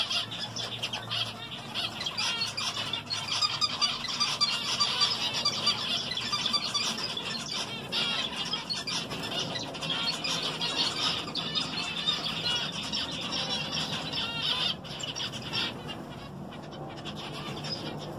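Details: Zebra finches (Taeniopygia guttata) eating vegetables chatter in a busy, overlapping stream of short nasal beeps and squeaky calls.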